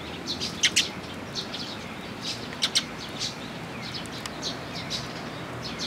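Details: Several sparrows coming to a post to be fed at a Tenmangu shrine on 8 June 2022; short, sharp high chirps come in scattered bursts over a steady background hiss.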